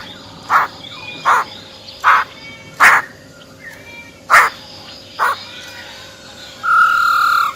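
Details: Wild-type song of a female Silver-eared Laughingthrush: short, harsh, broadband bursts repeated roughly every second, then a sustained clear whistled tone near the end.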